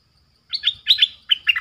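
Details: Streak-eared bulbul used as a lure bird to call in wild birds, 'sap dok' and 'rik' call styles: three quick pairs of bright, chirpy warbled notes, each pair sharply rising and falling, in quiet surroundings.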